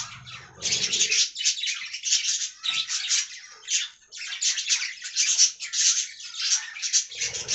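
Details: Aviary budgerigars keep up a steady stream of rapid, rasping, high chirps, with one brief dip near the middle and a faint low hum at the edges.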